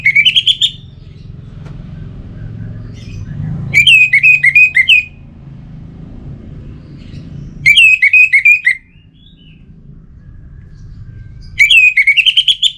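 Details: Orange-headed thrush singing, a sound used to get lazy birds singing again: four repeated phrases of fast, looping whistles, roughly four seconds apart. Each phrase is a rippling series of bright notes over a low background rumble.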